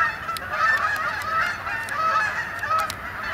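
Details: Arriving Canada geese over Sapsucker Woods, Ithaca, New York, 28 October 2017, heading to roost on the pond; continuous loud honking from several birds, with calls running into one another almost without pause.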